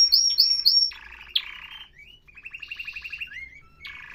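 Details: Canary song mixing three sharp high chirps, a low buzzy rattle, a quiet rippling trill, and a final flat note.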